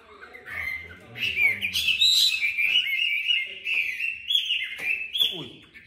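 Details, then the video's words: Chinese hwamei in a cage, a golden bird admired for its good voice, pouring out a continuous, varied warbling song of fluid whistles and rapid trills. Faint low background sounds come early, with a sharp downward note near the end. "Mi vàng 9999 (gõ kiến vàng ) GIỌNG HAY & ĐẸP"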